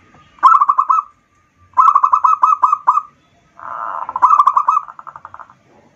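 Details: Local zebra dove singing to lure and stimulate other doves: repeated rolling coo phrases of quick, evenly pulsed notes, the longest with about six beats, with a brief rushing noise before the last phrase.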